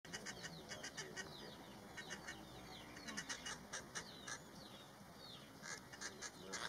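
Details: An injured grey treepie gives harsh, grating notes mixed with quick downward-swept whistles, several a second, against a steady background hiss.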